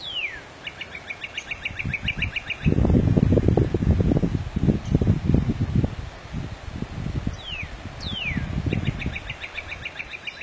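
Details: Wild Northern cardinal (Cardinalis cardinalis) singing freely: loud, steeply falling whistles followed by quick runs of repeated notes, given twice, over a heavy low rumble like wind or traffic.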